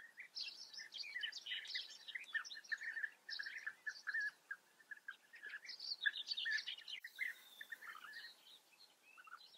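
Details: Colony chorus of European bee-eaters in Germany's Eifel: many short purring trills and bright chirps overlapping continuously, rising and falling in bursts for nearly ten seconds.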